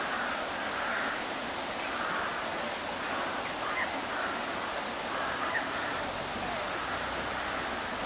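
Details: Mallard ducks on a river at Blarney Woollen Mills on 20/09/12 give soft, nasal quacks in short bursts about once a second, partly masked by steady background noise including a tannoy voice speaking German, English and French.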